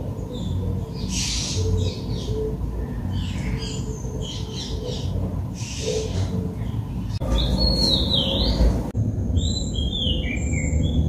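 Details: Oriental magpie-robin in Sri Lanka, recorded with a Nikon COOLPIX P1000. The first seven seconds hold muffled noisy rustling and a low hum. After that come clear, sweeping whistled notes in a high register, some rising and some falling, plus a few short high whistles.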